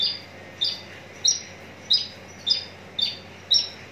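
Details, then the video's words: Seven bright, high, two-toned chirps, roughly every half second, from a Javan bush lark from Cikupa, Tangerang, Indonesia, described as ready for singing contests; soft hiss behind. "branjangan parva joss siap gantang"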